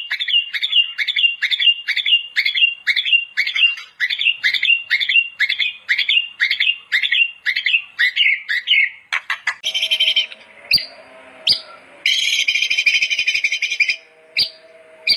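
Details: Gacor white-rumped shama master song: a regular train of warbled phrases about two per second, followed by harsh buzzy rasping bursts and sharp clicks.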